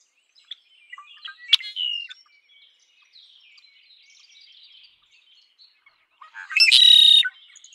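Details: Red-winged blackbird song: a few short chipping notes and a brief whistled slur, then a pause, and a loud, harsh, buzzy trill lasting under a second near the end.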